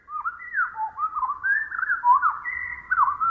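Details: Pacific Wren song played back at one quarter speed: a run of whistled, gliding notes that rise and fall, some slurring down, others holding level, with short phrases flowing into one another for over three seconds.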